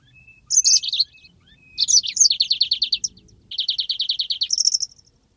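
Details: Long rolling 'ngeroll' song of a yellow-fronted canary, used as a training master: sweeping high notes lead into two extended rapid trills of about ten crisp repeated notes each, ending in a brief high flourish.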